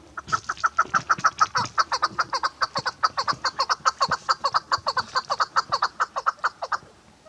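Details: Female chukar partridge kept as a hunting bird, calling in a long fast run of loud clucking chuck notes, about 140 per minute, slightly uneven in spacing, fading out near the end.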